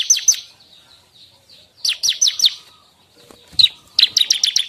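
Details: Bar-winged prinia, song used to attract and train songbirds: short groups of bright, downslurred chirps, softer twitters between, ending in a fast accelerating run of sharp notes.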